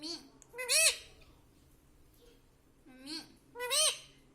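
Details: Ringneck pet parrot kept at home and taught to say "mummy" and "papa"; four speech-like harmonic syllables in two pairs, each loud, arched and rising then falling, with quiet pauses between.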